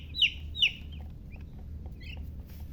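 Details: Baby chicken chicks chirping: two loud, high, downward-slurred peeps close together, then a few fainter chirps over a steady low hum.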